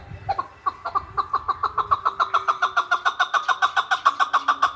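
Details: Chukar partridge of Qabodiyon, Tajikistan, delivering a steady, quick train of clucking chuck notes, around four per second, that grows slightly louder toward the end.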